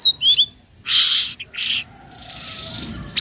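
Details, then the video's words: A young speckled flowerpecker (tledekan laut) gives a few thin, high whistled notes, then two harsh, scratchy bursts and faint, high ticking notes, all within three seconds. "Pancingan Bunyi Tledekan Laut trotol"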